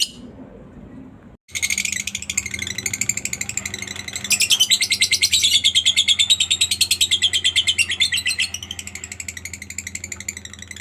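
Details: Lovebird ngekek chatter, played as a lure to get other lovebirds chattering quickly; after a quiet first second, a long, fast, rattling run of sharp high pulses, about three per second counted as bursts, rising in intensity mid-way, over a low steady hum.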